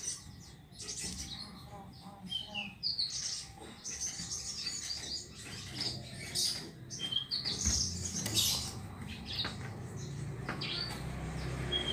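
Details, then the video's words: Lark singing to spur another caged bird into active song: a run of high, sharp chirps, twittering trills and scratchy notes in quick bursts, with a low hum and faint rustling behind. "TERAPI BURUNG BRANJANGAN"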